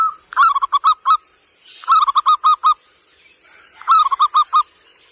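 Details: Local zebra dove lure call for attracting wild birds, dated 15 January 2020: three bursts of five or six short, staccato cooing notes, the first slightly higher, repeating about every two seconds over a faint steady high whine.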